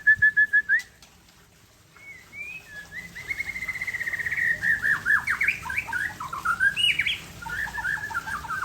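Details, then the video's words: White-rumped shama of the Aceh type singing in a relaxed afternoon session: a few short repeated notes, a pause, then a long varied run of whistled slurs and rapid down-sweeping notes that rises and grows louder. "Murai Aceh - SMBF # Santai Sore"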